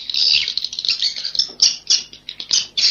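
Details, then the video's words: Inap Ababil roosting call of swiftlets: rapid, rasping high chirps in quick bursts, separated by short gaps, growing choppier toward the end. "Suara Inap walet"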